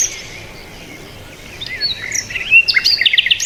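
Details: After a quiet, faintly hissing start, birds break into quick chirps, sweeping whistles and high twittering notes during the final two seconds.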